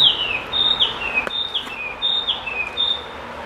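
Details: Narcissus flycatcher singing at Kiyosato, Japan, on 15 July 2012, its yellow belly visible, gives high, clear whistled notes that slur downward, repeating about twice a second over a soft background hiss.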